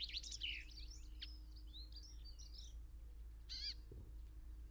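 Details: Brambling at Ballinaglera, Ireland: a burst of quick, chattering twitters for about two seconds, then one harsh, nasal call with a rising-falling tone, over a steady low rumble.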